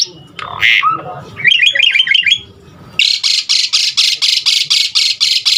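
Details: Asian pied starling in a filler-song recording meant to stimulate other starlings: a few mixed calls and a short twittering trill, then a long steady series of harsh grating notes about five per second.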